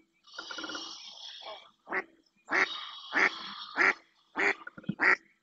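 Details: Female mallard calling insistently in the marshes of Doñana National Park, Spain: a series of loud, harsh quacks roughly every half to one second, after an opening stretch of broad rushing noise.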